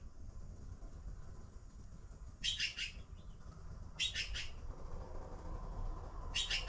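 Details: Baby blue magpies waiting for food give short harsh, raspy bursts of chattering, three spaced a second or more apart, over a low steady background rumble.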